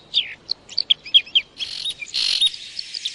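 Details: Red crossbill song: a quick run of short, high chirped notes, the first sliding downward, followed by a brief buzzy, rustling stretch.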